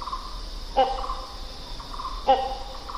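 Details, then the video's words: Great hornbill giving two loud, harsh, barking calls about one and a half seconds apart, each opening with a sharp burst and followed by nasal tonal notes, over a steady high insect drone. "great hornbill សំឡេងសត្វគេងកងយំ"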